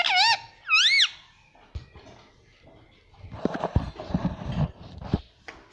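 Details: Pet parrot calling: two loud wavering whistled notes rising and falling, harmonic-rich, followed by rustling, clicks and thumps from the room.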